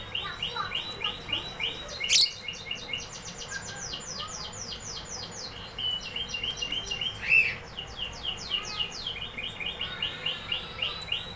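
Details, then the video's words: Canary song with varied phrases: repeated rising whistles, rolling trills and buzzy passages, two louder sharp notes standing out, over faint background hiss. "canary singing"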